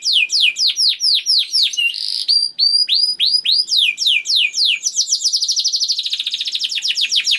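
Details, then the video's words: Juvenile canary with an energetic song to spur other canaries: series of loud falling whistled notes, a short buzz, ringing slurs, then an accelerating rapid trill. "KENARI GACOR DOR NGEDUR NGOTOT CUIT CUIT NGEROL AMPUH PANCINGAN KENARI PAUD"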